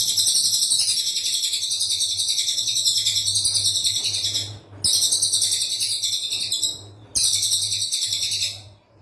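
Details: Brown cililin song in a dense 'tembakan rapat' style, used as master song for training birds: an unbroken, very fast, high buzzy trill lasting several seconds, cut by two short silences, over a steady low hum.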